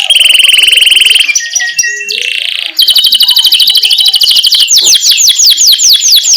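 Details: Canary ngerol rolling song as a tutor for young canaries: a fast buzzy trill, a brief harsh churr, then a long bright rattling roll that turns into repeated rising whistled notes.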